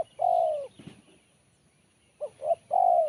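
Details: Spotted dove song with a sharp, crisp voice: a long falling coo near the start, a low rumble, a pause, then two short notes and a final drawn-out coo.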